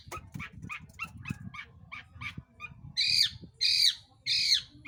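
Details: Long-tailed shrike recorded to provoke other birds into singing: a scratchy series of short rasping notes over low background rumble, then three loud drawn-out grating squawks.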